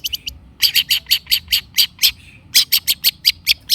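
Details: Long-tailed shrike song played as a lure: a brisk, steady series of loud, harsh, high chipping notes, about five per second, with a short gap midway.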